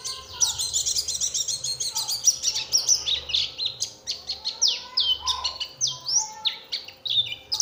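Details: Oriental white-eye lure song meant to trigger singing in other white-eyes: a fast, tumbling warble of high, sharply down-slurred and chirping notes delivered in a steady stream, with occasional lower whistled notes.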